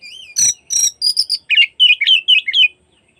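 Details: Magpie-robin lure song for the afternoon, intended to make other magpie-robins fan their tails: harsh buzzy rasping notes give way to a quick series of clear, slurred whistles repeated about four times a second.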